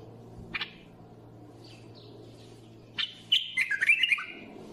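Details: Bulbul delivering a brisk, rolling phrase of rapid chirps and warbles near the end, preceded by a couple of soft faint notes and a sharp click, over a constant low hum.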